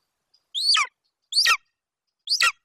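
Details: Young male golden eagle at a nest in Bucovina, 27 July 2021, vocalizing while standing over a Eurasian hare his mother brought in: three loud, harsh, high squealing calls, each rising then dropping, about one per second, no other sounds.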